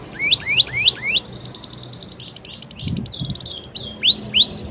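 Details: Standard cengkok style song from a canary: a run of quick upswept whistled notes, then a high fast rattling trill, a brief pause and two loud, clear rising sweeps.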